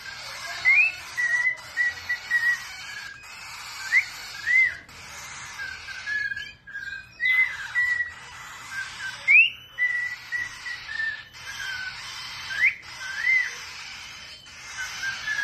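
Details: An adult cockatiel teaching baby cockatiels gives short, clear whistled notes that rise and then dip, repeated over a scratchy chatter.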